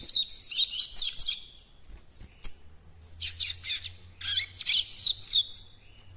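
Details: Young coleiro-baiano attempting its encarte song, producing bursts of high, squeaky warbling and rapid chirp series, with a faint low hum in the background.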